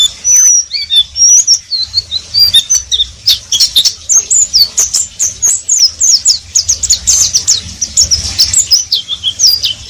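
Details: Oriental white-eye keeps up an unbroken ngeriwik twitter of high, squeaky, slurred chirps and trills, delivered in quick bursts of several notes each, with faint ticking clicks in the background.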